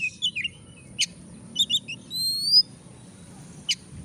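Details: Oriental magpie-robin song played as a lure to provoke a reluctant bird into singing: sharp clipped chips and short twittering notes, then a long, thin, rising whistle, with a steady low background hum.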